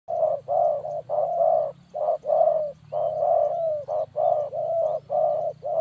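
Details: Spotted dove calling clean for use as a trapping lure: low, hollow coos in short-long pairs, about one note per second, with faint high chirps of other birds and a steady low hum behind.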